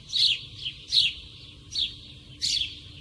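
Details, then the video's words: Sparrow calling close by in a natural setting, giving short bright chirps, four in three seconds at uneven spacing, each a sharp downward-sliding note. "Sparrow sound (Nature close sound, lovely, funny, relax...)"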